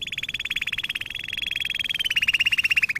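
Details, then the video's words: Canary singing as a training lesson: one sustained rapid trill of evenly pulsed notes, steady in pitch, then shifting slightly lower and louder toward the end. "Kanarya ötüşü- Kanarya dersi-kanarya coşturma"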